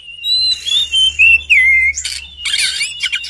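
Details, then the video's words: Oriental magpie-robin singing: clear whistled notes sliding and dipping, followed by harsher scratchy bursts and a rapid chattering phrase near the end, with a faint low hum throughout. "Birt song Magpie Robin"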